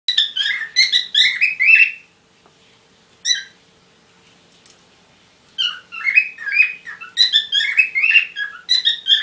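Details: Parrots courting, giving bursts of harmonic chirps and squeaky warbles that run about two seconds, then a pause with one short squawk, then a long burst of chattering again; a faint steady hum underneath.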